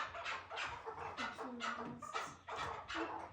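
A chukar partridge gives harsh, rasping clucking notes, repeated roughly twice a second in a steady, insistent series.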